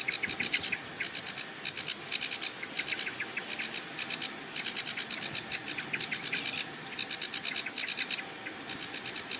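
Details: Male Sedge Warbler on a treetop at the edge of a reedbed marsh, delivering short bursts of harsh, scratchy chatter, each about half a second long, separated by brief pauses.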